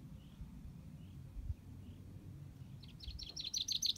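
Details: Common chaffinch: faint thin notes, then a loud burst of quick, high repeated chirps starting near the end, over low background rumble.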